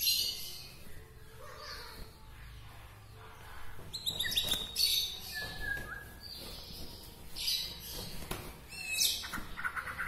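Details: Local white-rumped shama from Bahorok, Medan, singing to stir up other shamas; varied high sweeping whistles and rapid chattering notes in quick succession, with sharp clicks and some background noise.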